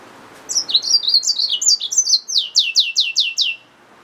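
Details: Hybrid finch, a yellow-fronted canary mule, gives a fast high song. Twittering descending slurs run into a string of about eight evenly spaced downward-sweeping notes near the end. Faint low hum behind.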